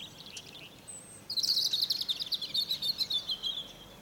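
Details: European robin in a fir tree at dawn, its morning song here a quick, high, glittering trill of rapidly repeated thin notes, starting after a brief softer phrase and running on for over two seconds, with light background hiss.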